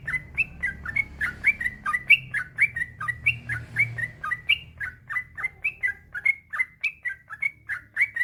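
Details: Yellow-vented bulbul delivering long unbroken 'ropel panjang' song, played as a master track to stimulate other bulbuls. Bright, rolling notes pour out at a rapid, steady pace, alternating rising and falling slurs, with a soft low hum early on.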